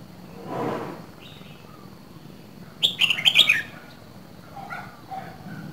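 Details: From Dak Lak comes this red-whiskered bulbul of two seasons, kept as a cage bird: after a soft muffled sound and near quiet, it bursts into one rich, rapid run of sharp whistled notes, then faint chatter follows.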